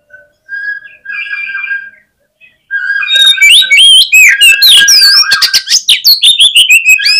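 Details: Oriental magpie-robin delivering a fighter song meant to provoke opponents: soft warbled phrases at first, then a loud, nonstop stream of rich whistles, sweeping slurs, trills and rapid clicks.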